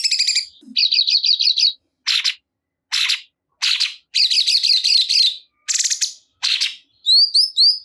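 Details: Rapid looping warbles and dry buzzy bursts from a sooty-headed bulbul (cungkok), repeated in short phrases about a second apart and ending in a run of quick rising whistled notes.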